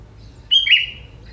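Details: Young sooty-headed bulbul from the forest giving one clear whistled phrase, a bright note sliding into a slightly lower sustained whistle that fades away, in a quiet setting.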